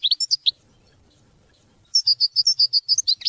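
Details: European goldfinch song, used to teach and motivate hunting and mating: a few high twittering notes, a pause of about 1.5 seconds, then a fast run of bright chirps and short trilled phrases.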